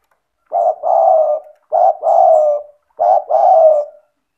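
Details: Spotted dove (tekukur) calls, played to prompt lazy, quiet caged doves to call; three low cooing phrases, each a short coo followed by a longer rolling coo, repeated about every 1.2 seconds, clean and loud.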